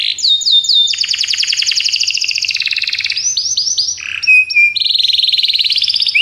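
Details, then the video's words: Belgian canary song meant for teaching canaries: a long fast trill, then a series of clear whistled notes and a lower buzzy phrase, closing with another rapid trill. "treinamento para canário belga"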